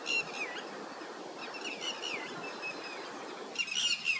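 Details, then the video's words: White-browed wagtail feeding in village wetland gives thin, high, slurred chirps at an irregular pace, with a brighter burst near the end, over a steady hiss of outdoor noise. "White-browed wagtail bird eating in wet land with natural sound"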